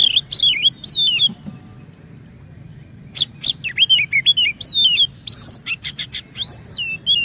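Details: Oriental magpie-robin singing as a lure to make others sing long and reveal imitations: bursts of rich, looping whistles with crisp click-like notes, a short pause near the middle, then a denser, faster stretch of varied whistling.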